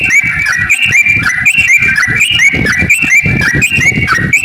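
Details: Yellow-vented bulbul singing a long, rapid chattering song used as a lure to get other bulbuls singing: bright, bubbling whistled notes tumble in quick overlapping phrases, over a steady low thumping in the background.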